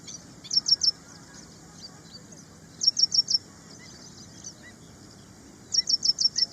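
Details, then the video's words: Ashy prinia, known locally as prenjak india: three bursts of very high, sharp repeated notes, each burst four or five quick ticking chirps, separated by pauses of about two seconds, over faint steady background hiss. "Suara Burung Prenjak India | Ashy Prinia | Suaranya Pedas"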